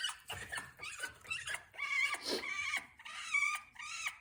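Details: Pet African grey parrot calling indoors: a series of clear, level, tonal whistles with rich overtones, five or six separate notes, each held briefly with short gaps.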